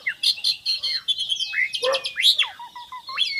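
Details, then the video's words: Black-winged myna singing quick phrases of harsh chatter, rising whistles and a loud squawk, closing with a string of short clipped notes. "Suara burung jalak curen"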